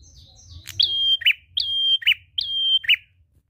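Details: Drawn-out prinia song for luring other birds to sing: a few faint gliding notes lead into three clear phrases of held level whistle followed by a lower falling note, in a brisk regular rhythm.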